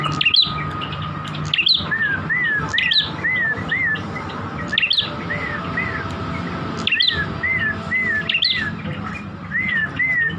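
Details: Song of a chestnut-crowned warbler, a series of slurred whistles arching up and down, delivered in quick runs between sharp high tick-like notes, with a constant low background drone.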